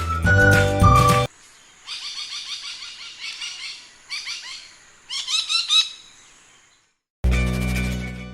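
Layard's Parakeet gives bursts of harsh, chattering notes, several quick calls per second in short runs, with music playing before and after.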